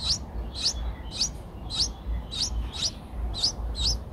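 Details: Eight-day-old Streak-eared Bulbul chicks at the nest, Ubon Ratchathani, Thailand, 10 April 2023, giving thin, high rising chirps about every half second, nine in a row, over a low rumbling background.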